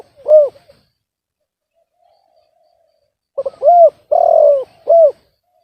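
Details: Clean recording of a spotted dove with a reportedly discordant voice: one short hooting note, a long silence, then a quick stutter of notes and three rounded coos, the middle one longest and loudest.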